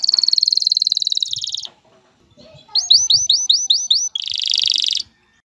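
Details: Male canary song meant to prepare a female for mating and nest building: a rapid buzzy trill, a short pause, a series of rising slurred whistles, then another dense rattling trill.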